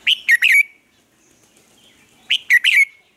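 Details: A caged red-whiskered bulbul in Vietnam, acting as a lure to train other bulbuls to sing, gives two crisp, identical phrases of three quick whistled notes, about two seconds apart, in quiet surroundings.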